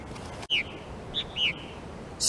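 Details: Black-whiskered vireo in Palm Beach County, South Florida, giving its distinctive call: three brief, high, whistled slurred notes, the first and last curving downward, over a quiet background with a sharp click.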